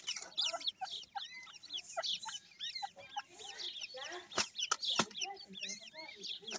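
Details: Chicks of the grey francolin (teetar) chirping together in high, curved notes tumbling over one another, with some lower chatter and two loud sharp knocks partway through.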